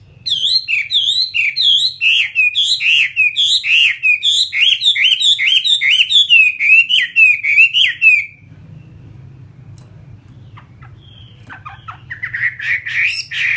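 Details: Caged fighting Chinese hwamei delivers a loud, fast train of looping whistled slurs for about eight seconds, then falls quiet over a low hum before resuming with softer scratchy notes.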